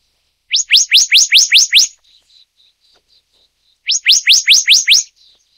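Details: Black-naped monarch, Taiwan endemic subspecies Hypothymis azurea oberholseri: two bursts of about seven quick, upward-sweeping whistled notes, separated by roughly two seconds of near quiet with a few faint soft notes.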